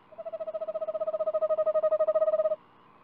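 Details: Eastern screech owl at a nesting-box livestream on 4 April 2019, giving a level, mellow trill of rapid hoots, about twelve per second for two and a half seconds, swelling slightly in volume.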